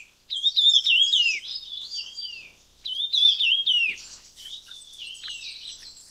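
Red-tailed minla giving two bursts of rapid, high twittering, each lasting one to two seconds, followed by softer scattered chips.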